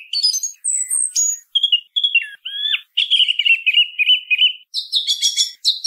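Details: Varied song thrush singing: thin high squeaks, descending slurred whistles, then a fast rolling warble. It ends in a burst of scratchy, clicking high notes.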